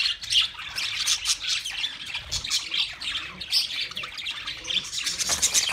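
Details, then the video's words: Budgerigars kept as pets singing: chattering high warble with squeaky whistled notes and clicks, rising and falling in loudness over nearly six seconds. "Singing Sounds My Budgies Birds"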